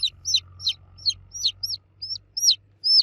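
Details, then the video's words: Chicks cheeping for the mother hen, a quick run of shrill descending peeps followed by longer, arched whistling cheeps, with low background hum. "Baby Chicks Chirping Sound For Kids Chicks Cheeping Loudly For Mother Hen"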